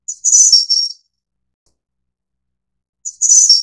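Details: Two shrill, fine-toned phrases of a Snowy-browed flycatcher, subspecies innexa, three seconds apart, each a short lead note then a rippling high trill dropping slightly at the end, in quiet surroundings.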